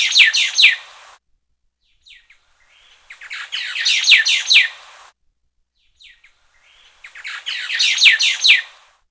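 White-browed laughingthrush giving three bursts of harsh, grating chatter about every four seconds, each opened by a few soft notes. No other sounds.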